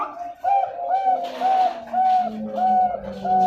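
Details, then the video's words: A Bangkok-line zebra dove from a breeding farm in Pasuruan, East Java, Indonesia repeats soft, rounded coos about every half second over a low steady background hum. "SUARA PERKUTUT BANGKOK"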